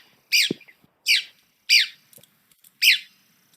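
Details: Red-cockaded woodpecker calls: four raspy, down-slurred chirps spaced about three-quarters of a second apart, with a few faint low clicks between them.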